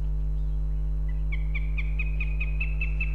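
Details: A female goshawk in Riga, Latvia, on February 18th, calling for her partner; after a quiet start, a quickening series of bright, high, evenly spaced kek-like notes begins, about five per second, over a low hum.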